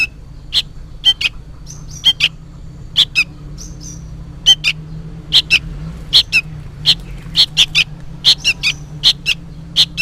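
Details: Sooty-headed bulbul fledgling calling loudly, as if for its parent: steady series of clipped, piercing chip notes, often paired, repeated several times per second in bursts, with soft low background hum.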